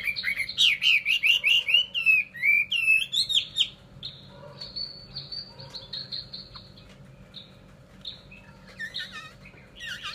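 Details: Vietnamese caged Chinese hwamei sings a burst of loud varied whistles, sweeping up and down, for nearly four seconds, followed by quieter thin high notes and a final loud flourish.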